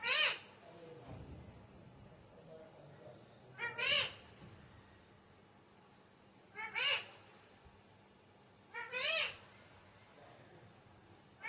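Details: Alexandrine parakeet calling: four harsh, harmonic squawks spaced about three seconds apart, each with a quick rising-falling contour, against a faint room hiss.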